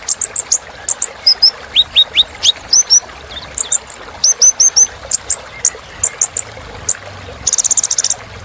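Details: Sunbird (kolibri ninja) song, a rich filler track meant to excite other birds: rapid high, sharp chirps and short downslurred whistles in quick succession, ending in a dense buzzy trill.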